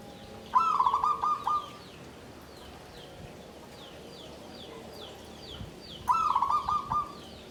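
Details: Caged zebra dove in a bamboo cage, singing in the klabang kapipit, tumpang sari style (klarr kete kuk kuk). Two rapid, low bubbling coo phrases about five seconds apart. Thin, repeated high chirps from other birds continue throughout.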